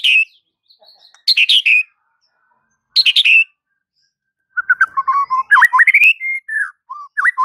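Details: White-rumped shama master song for training silent birds: bursts of harsh chattering notes separated by pauses, then a fast sequence of varied whistled and slurred notes.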